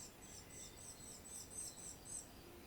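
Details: Eurasian treecreeper calling in Świnoujście, Poland, on 25 September 2022: thin, very high, faint notes about twice a second over a low background hiss.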